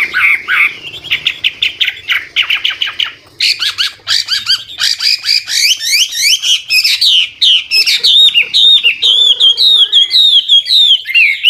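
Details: Old wild Chinese hwamei singing, voice constantly changing phrases to prompt young birds into song; dense rapid whistled notes, then harsher buzzy bursts, ending in clear looping slurred whistles.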